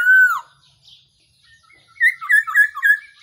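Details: Black-throated laughingthrush decoy call used for trapping: one loud, clear, downslurred whistle, a pause, then a quick run of short, warbling, bubbly notes.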